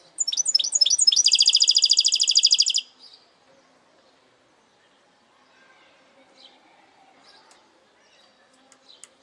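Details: Goldfinch hybrid, caged, singing a phrase of sharp descending chirps that runs into a fast, even, buzzy trill of about twenty notes lasting under two seconds, then near silence with faint distant sounds.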